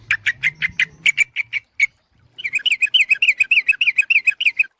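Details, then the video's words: Lure recording of a sooty-headed bulbul: quick series of clipped chirps, a short pause, then a rapid run of bouncing, slightly slurred notes delivered several per second. "suara pikat burung trucuk ampuh"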